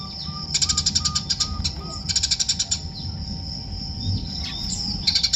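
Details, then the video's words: Eurasian tree sparrow giving short bursts of rapid shrill chirps between quieter spells, while a soft repeated lower whistle sounds at the start and background noise hums. "burung gereja natung"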